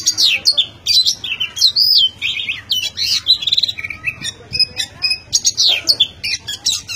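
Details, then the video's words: Oriental magpie-robin singing nonstop: a rich, varied stream of whistled slurs, rising and falling notes and quick chatters, phrases following with barely a pause. "Keren suara burung kacer tanpa henti selama satu menit"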